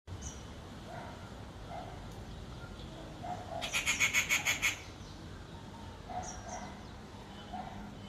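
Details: Rufous treepie (Dendrocitta vagabunda) in India screeching: a harsh, rapid burst of about a dozen grating notes lasting a second, with softer chirps before and after over a low background hum.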